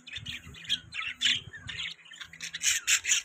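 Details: Budgies giving rapid scratchy chirps and squawks in clustered bursts, some notes sharp and high, others raspy, with a steady faint low hum in the background.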